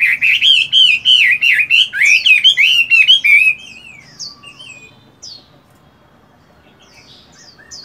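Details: Morning voice practice of a caged Chinese hwamei during moult: dense, loud warbling whistles racing up and down for about three seconds, fading into scattered faint high notes.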